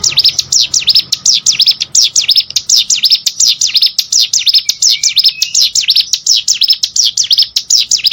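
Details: Hill prinia, used as training audio for competition songbirds, delivering a rapid unbroken series of high V-shaped swept notes, falling and rising again several times a second, with a faint low hum beneath.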